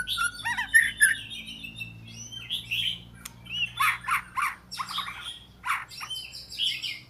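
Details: Oriental magpie-robin singing energetic phrases: quick warbled loops, buzzy notes and clusters of rapid repeated syllables separated by short pauses, over a low hum.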